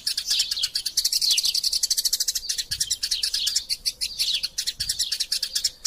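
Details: Excited, fighting Eurasian tree sparrow chatter for tutoring other birds: rapid, crowded high chirps with repeated down-slurred notes, nearly nonstop, plus occasional soft low knocks.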